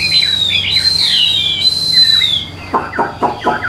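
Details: Caged Hwamei from Vietnam with golden bill and legs, giving long clear whistled notes that rise and fall smoothly, followed by a few short sharp clicking notes.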